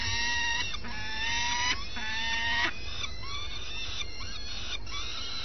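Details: Common swifts at the nest early in the morning, two adults around a nest changeover; drawn-out nasal calls with stacked overtones, several long notes of about a second each, over a steady low rumble.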